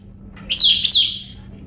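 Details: Excited pet female galah acting wildly in an unusual outburst, with other birds nearby: a single loud, rasping screech in two linked parts, harsh and high, fading out over a low hum.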